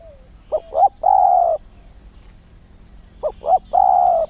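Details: A captive Spotted Dove kept as a decoy bird, whose voice has grown softer and which no longer calls as fully as before, gives two mellow cooing phrases about two and a half seconds apart, each two short notes and then a longer, drawn-out coo.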